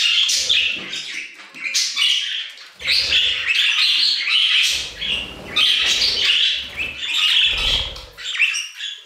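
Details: A group of budgies sings in the aviary: overlapping chirrups, squeaks and gravelly warbling rise and fall in waves, with clicking and rasping notes woven through the steady chatter.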